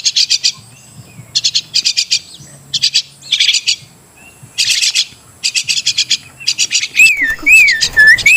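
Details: Crested myna, or Martinez bird, delivering repeated clusters of harsh, rasping high chatters; near the end a louder wavering whistled sound rises and falls over the chatter.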